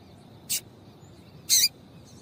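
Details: Female Double-collared seedeater calling to get a male singing; a short high chip followed a second later by a louder, longer scratchy note.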